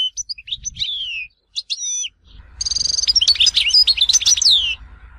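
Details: European goldfinch song, Tizi Ouzou, Algeria: scattered high chirps and looping whistles, then a sustained stream of buzzy trills and quick liquid twitters over a low background rumble.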